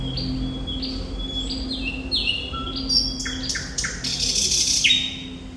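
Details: Thrush nightingale, called Sikatan Londo, singing steadily: a varied run of clear whistled notes stepping down in pitch, a few lower whistles, then bursts of sharp clicks and harsh chattering, over a constant low hum.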